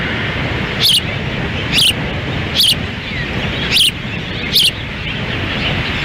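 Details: Osprey nest in Lolo, Montana, June 10, 2017: a windy feeding of chicks, the male standing by; five short high chirps at roughly one-second spacing stand above heavy steady wind noise.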